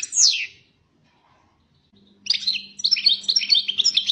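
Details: European goldfinch, described as fiery; one sharp falling buzzy note, a pause, then quick high jangling twitters and trills, over a faint steady low hum.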